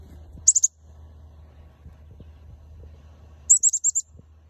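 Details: A friendly chickadee gives very high, thin notes in two quick runs, first three notes and then five, with a faint low hum behind.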